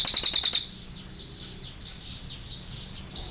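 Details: Cililin giving a short burst of rapid high chattering notes, followed by a softer series of thin descending squeaky notes.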